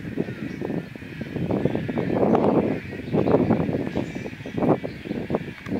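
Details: Wood storks at their nests at Harris Neck, Georgia, in May 2017, give a rough, nasal chatter: many low grating calls overlap in uneven bursts with no clear pauses, over a faint steady hum.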